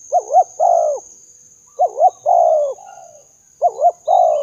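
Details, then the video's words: Spotted dove cooing as a lure for other doves: three phrases, each two short wavering notes followed by a longer falling coo, about a second apart, against a quiet background with a faint high whine. "memikat burung tekukur"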